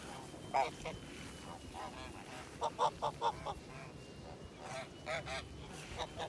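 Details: Kholmogory gander, white, hatched 2017 on a purebred poultry farm, heard 7 September 2019: a sharp honk early on, then a tight series of three or four strong honks, followed by quieter scattered honks against faint background noise.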